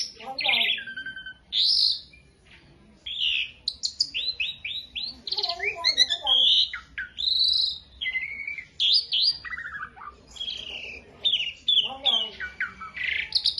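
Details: Beginner Asian pied starling kept as a tutor bird, delivering a long, rich medley of whistles, chattering trills and harsh buzzy notes, phrases tumbling one after another with brief gaps and a quiet spell early on.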